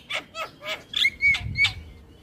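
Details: Caged black-winged starling singing in full voice: a series of harsh, rasping broadband notes roughly every quarter second, interleaved with clear, flat whistled tones.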